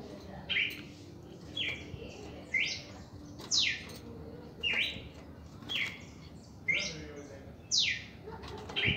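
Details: Red-crested cardinal singing its first reaction song: a long run of alternating steep falling whistles and short buzzy notes, close to one a second, over a faint low hum.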